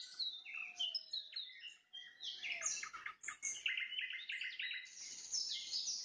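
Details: Nightingale in sunset song: a low drawn whistle under high slurred notes, then a series of rapid repeated mid-pitched notes and a high buzzy ending.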